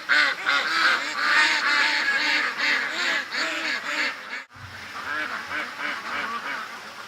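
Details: A flock of domestic ducks calls loudly at about 4 o'clock on a rainy September 8 morning, loud enough to wake someone. Dense, overlapping nasal quacks and honking calls repeat rapidly throughout, with a brief dropout midway.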